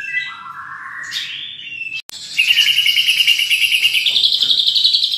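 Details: White-rumped shama, a champion contest bird with a rich varied repertoire, singing: slurred whistles sliding down and up, a brief gap, then a fast rapid trill of buzzy high notes repeated quickly.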